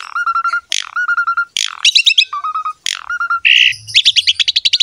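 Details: Javan pied myna (jalak suren) training song: repeated harsh squawks each followed by a low rattling trill, closing with a fast high chatter of repeated notes.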